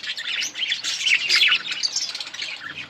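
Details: Budgies chirping in a breeding colony, a dense, unbroken blend of high twittering and scratchy chatter from several birds.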